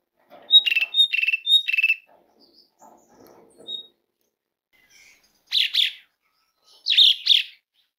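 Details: Asian pied starling calling, sound meant to stir starlings into singing: a quick series of whistled-then-harsh double notes, soft rustling, a lone whistle, then three loud raspy chirps.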